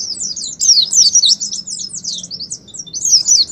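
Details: Oriental white-eye in lively ngalas song, used to prompt pet white-eyes to answer: dense, rapid high twittering with slurred chirps that rise and fall, with a brief softer gap near the end.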